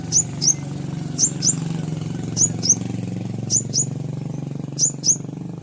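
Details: Scarlet-headed Flowerpecker (konin) lure call: paired high, sharp chips repeated about every second, partly masked by a loud, steady low engine-like drone.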